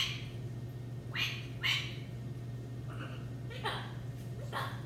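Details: Two pet macaws being vocal indoors: harsh, broadband squawks in short bursts, about five calls spread over five seconds with irregular gaps, over a steady low electrical hum.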